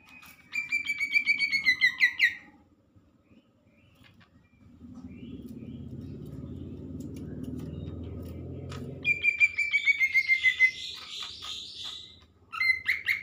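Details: Cucak ijo, the lesser green leafbird, giving bursts of fast repeated metallic whistled notes, separated by a stretch of low rumbling background noise.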